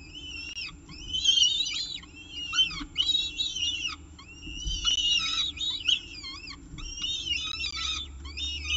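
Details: At the CSU Orange peregrine falcon nest during the evening meal, 18 October 2018, 6:51 pm, nest camera: dense series of high chirping whistles, clipped arched notes in rapid clusters, several birds overlapping, little pause.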